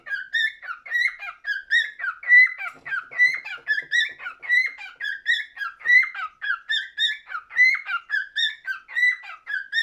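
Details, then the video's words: Cockatiel singing indoors: a continuous run of whistled, warbling phrases with strong harmonics, notes bending up and down, rhythmic bursts about two per second with no other sounds. "Best Cockatiel singing"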